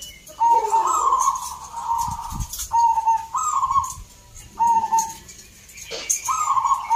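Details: Zebra dove at a song competition in Salatiga, Central Java: a string of soft, rolling coo phrases about a second long, repeated several times, with crowd chatter, clatter and high bird chirps behind.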